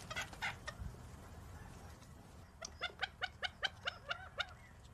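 Gambel's quail giving a quick run of about eight short, clucking notes, roughly four per second, after a few softer, rougher notes at the start.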